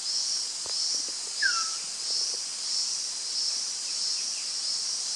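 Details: At Doi Inthanon in Chiang Mai Province, a Rusty-naped pitta gives a single brief downslurred whistle early on. A constant shrill insect chorus and faint low ticks fill the background.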